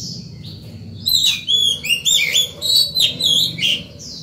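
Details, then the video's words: Oriental magpie-robin singing freely in the morning, a song meant to call other birds and teach young ones. After a quiet start comes a run of bright, sweet whistles and quick twisting phrases, about six loud bursts. "Chòe than vào lửa hót sổng buổi sáng, gọi bổi, tập chim non hay!"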